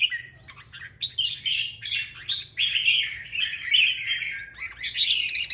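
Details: Male red-whiskered bulbul, a wild-caught bird, singing loudly to lure a female: rapid, bright, whistled warbling phrases fired in quick bursts like machine-gun fire, slurred rising and falling notes, with a faint low hum behind.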